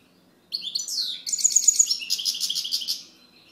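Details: European goldfinch in full song: two and a half seconds of continuous, bright, tinkling twitters mixed with rapid buzzy rattles, starting abruptly and fading at the end.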